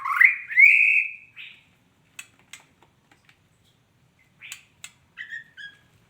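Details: Female white-rumped shama giving two loud rising whistles followed by scattered soft clicks and short chirps, ending with a pair of brief whistled notes.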